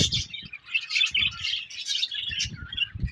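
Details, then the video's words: Many budgerigars in a colony chirp together: a thick, unbroken warbling chatter of high twittering notes, with soft low bumps in the background now and then. "Budgies Colony Chirping Sounds"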